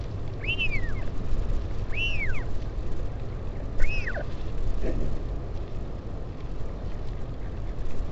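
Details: At the Taiaroa Head northern royal albatross colony near Dunedin, New Zealand, 16 July 2019, a parent visits its chick: three quick arched whistles in the first four seconds, then wind noise only.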